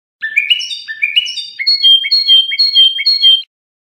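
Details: Trained Iranian European goldfinch singing Lor-style song, a recording for tutoring juvenile songbirds: rising paired phrases, then an even run of high tinkling notes repeated about twice a second, against a clean, silent background.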